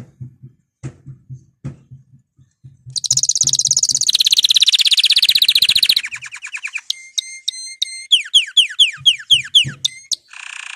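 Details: Excited male canary singing as birds are readied for breeding: a dense high buzzing trill for three seconds, then rapid repeated sharp chirps and downslurred notes, after low soft clicks and thumps at the start.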